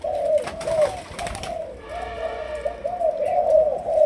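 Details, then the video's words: Young spotted dove of Malaysian stock, trained as a decoy, delivers a continuous rolling coo that rises in loudness toward the end, with a faint buzzy hum behind. "Cu Malaysia. Chim tơ nổi, tập lên mồi"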